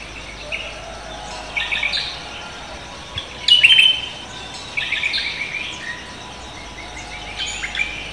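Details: Lively morning song of a cucak kombo: short, high, scratchy chirp phrases repeated every second or two, with one louder, sharper burst in the middle, against soft outdoor noise.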